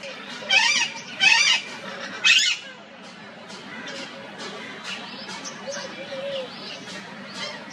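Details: Parrots fighting over pearl millet: three loud harsh squawks in the first two and a half seconds, followed by softer chattering and scattered calls.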